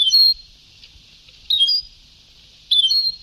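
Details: European goldfinch singing on an old Sebtaoui-style song tape: three short, bright twittering phrases with sliding whistled notes, separated by pauses of about a second, over a faint steady tape hiss.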